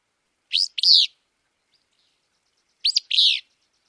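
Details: Willow flycatcher from Wisconsin singing two sneezy, burry two-part phrases a little over two seconds apart, each a quick upswept note followed by a longer buzzy slur; a clean, quiet background.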